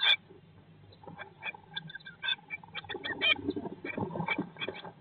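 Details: Eurasian blue tits inside a nest box, day 19 after the first egg hatched in May 2022, broadcast live: short scattered high chirps and clicks over a soft low hum, with brief rustling bursts.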